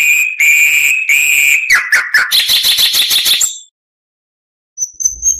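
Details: Oriental magpie-robin song used for tutoring songbirds: long rich whistled notes, a descending slur, then a rapid rattling series of chirps, a pause and soft high twitters.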